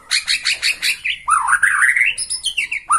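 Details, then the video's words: Bornean white-rumped shama in excited display from one spot while watching a rival, pouring out rich, dense phrases of rapid slurred notes that climb in a warbling series, ending with a bright whistle. "MURAI BORNEO MAIN EMOSI SATU TITIK LIHAT LAWAN"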